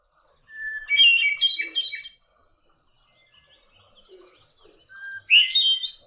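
Hermit thrush song: two phrases, each opening on a clear held whistle and breaking into fluty, echoing notes, the second phrase pitched differently from the first.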